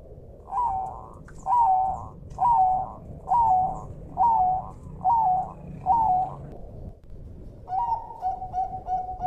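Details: Bangkok zebra dove, a captive training recording, with seven even cooing phrases at a steady pace, then a stuttering series of short notes ending in a held coo, over rushing water and forest ambience.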